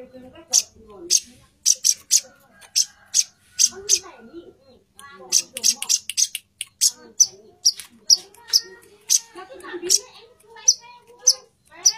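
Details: Female plain-throated sunbird calling loudly to a male: sharp, very high chip notes repeated roughly every half second in irregular bursts, with faint lower twittering between them.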